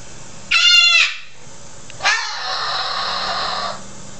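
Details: Rescued male cockatoo, a feather plucker with bare patches, kept indoors and screaming loudly: two harsh, broadband screeches, a short one and then a longer sustained one, in a small room.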